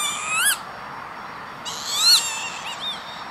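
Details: Northern lapwing on an industrial estate near Veenendaal, the Netherlands, 28 May 2013: a short wheezy note, then a longer slurred 'pee-wit' that rises and falls, over a faint background hiss.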